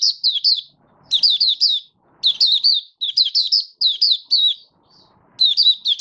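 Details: Recorded 1 August 2023, a caged Malaysian mata puteh (Oriental white-eye) not yet in form sings buka sing: repeated short volleys of three to five high, sliding chirps separated by brief pauses.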